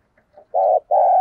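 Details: Spotted dove coo, thúc gù and gáy gọi style, for luring wild doves: two sustained, even, mid-pitched notes in quick succession after a couple of faint soft sounds.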